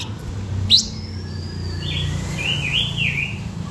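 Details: Blue-winged minla song used as a lure: a sharp high chip, then a long thin descending whistle and a run of quick warbled, undulating notes over steady low hum.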